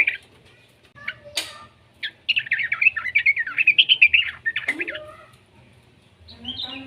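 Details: Chattering of a young yellow-vented bulbul meant to coax other bulbuls into song: a few isolated chips give way to a long, fast, trilled stream of harsh notes, then a lower rising note.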